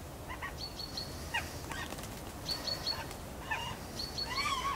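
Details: A Northern Goshawk pair, waiting for mating, gives harsh, nasal call notes in short repeated bursts with thin high whistled notes between them, over a steady rushing background.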